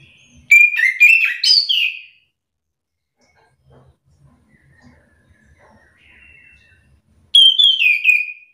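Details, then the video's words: Orange-headed thrush singing as a lure to provoke other thrushes into a back-and-forth exchange. A long, tumbling phrase of varied whistles is followed, after a quiet pause, by a shorter bright burst. "Hitungan detik anis kembang malas bunyi langsung emosi ikut bunyi sahut sahutan"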